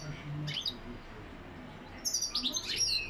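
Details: Goldfinch lak lak song: a short twitter at the start, a pause, then a bright, busy burst of high, tinkling chirps in the second half.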